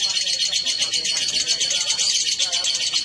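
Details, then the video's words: Lovebirds, a male and female brought together, chirping in a dense, continuous high-pitched chatter of rapid buzzy notes with no pauses. "Kicau burung//Jika raja dan ratu di pertemukan"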